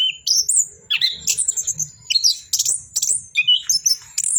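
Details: Varied high song of an Orange-headed thrush: short sliding whistles and squeaky bursts follow one another in uneven bursts, some notes swooping sharply upward.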